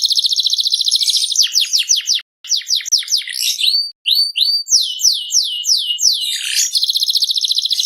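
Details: Lively canary singing a fast buzzing rattle that breaks into steep repeated downswept notes, short gaps, then clear rising whistles and another long rattling trill to close; quiet surroundings.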